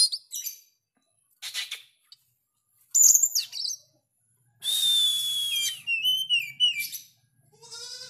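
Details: Oriental magpie-robin with sharp, loud song: scattered short chips, then a burst of shrill notes and a long whistled phrase sliding downward with clear separate whistles, among pauses.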